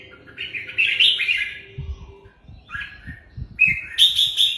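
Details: Red-whiskered bulbul singing: bright whistled warbling phrases, a long rising-falling phrase, then a short one and a final burst of rich notes, over low thumping background knocks.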